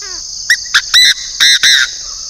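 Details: Chinese francolin, a northern decoy bird, gives a loud harsh call of five grating notes: two short clipped notes, then three longer rasping ones, all over a steady high insect drone.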